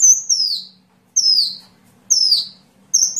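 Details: Sunbird giving loud, very high, steeply falling whistled notes, spaced about a second apart, as master sounds for training songbirds, with a faint low hum in the background.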